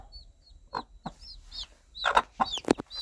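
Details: Mother hen calling her baby chicks in the countryside; a few scattered low clucks mixed with faint high chick peeps and some brief scratching or rustling noises.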